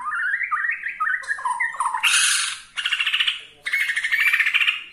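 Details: Borneo-style white-rumped shama song meant to anger other shamas: a stepped series of descending whistled notes gives way to harsh, buzzy, rasping bursts with short pauses between them.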